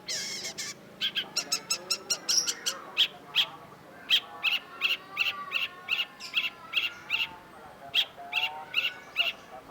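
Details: Long-tailed shrike (cendet), a vigorously singing bird from a masteran collection: a rapid series of sharp, bright chirping notes, roughly two to three per second and unevenly spaced, with a faint, lower whistled line beneath.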